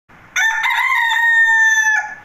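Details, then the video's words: Rooster, described as a Polish chicken with distinctive head crest, giving a single loud crow of about 1.7 seconds: a brief stuttering start, then a long sustained harmonic note holding steady before dropping off at the end. "hen sound || rooster crowing"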